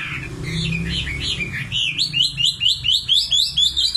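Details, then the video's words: {'caption': 'Common nightingale singing: a few looping whistles lead into a rapid, rhythmic series of sharp, upswept notes repeated about eight times, over a low rumble.'} "Singing nightingale. amazing bird song"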